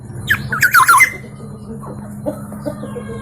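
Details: Black-naped oriole of local East Java stock, with many melodious variations, utters a quick burst of harsh, squawky, up-and-down notes in under a second, then softer scattered calls over a steady hum.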